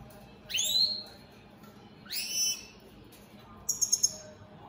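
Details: Opal split satinette European goldfinch in captivity giving two rising whistled slurs about a second apart, followed by a quick burst of four sharp twittering notes.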